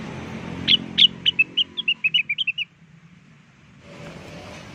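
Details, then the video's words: Blue-winged leafbird, also called rengganis, singing actively as a lure sound to draw answering birds: a quick run of about fourteen sharp, high whistled notes over two seconds, then quiet hiss. "Suara pikat burung cucak wilis gacor atau rengganis di jamin ampuh langsung nyaut"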